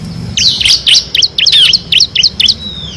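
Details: Ngebren-style song of a kristal bar-winged prinia, a master recording for competition songbirds: a dense, fast series of high, sharp, downslurred chirps running almost without a break for over two seconds.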